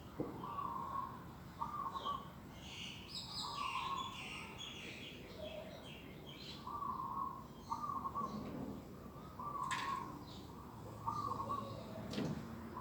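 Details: Birds singing on a morning in an organic vegetable garden, 11 December 2021: short, low, hollow cooing notes repeated in loose groups, with brief pauses between groups, over scattered higher chirps and twitters and a steady background hiss.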